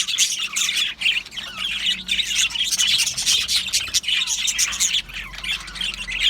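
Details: Australian budgies in an aviary colony chirping together: a dense, continuous wash of high twittering and warbled chirps with no pauses, many birds overlapping. A faint low hum runs underneath.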